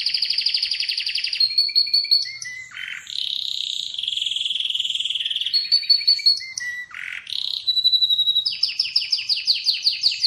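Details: A singing Atlantic canary delivers fast trills, steady whistled tones, a long sustained buzzy note, brief low harsh dips and a closing series of quick chirping notes, all in one unbroken, varied flow.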